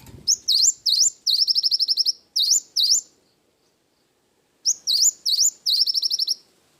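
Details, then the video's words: Cinereous tit singing loudly and clearly with wingko fill: high whistled swoops and V-shaped notes followed by fast trills of about ten repeated piping notes, in two bursts separated by a two-second silence. "Burung gelatik batu gacor isian wingko"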